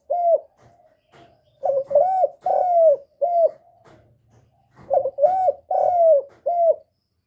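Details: Cooing of a spotted dove, played to encourage newly kept birds: repeated mellow hollow coos in short bursts of three or four notes, each arched or slightly falling, separated by brief pauses and soft low rumbles.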